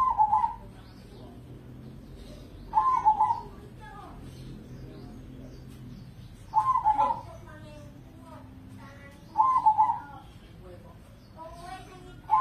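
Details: Crossbred zebra dove (perkutut crossing), caged competition bird in Indonesia, repeating short trilled coos about every three seconds, with softer higher chirping sounds between the phrases.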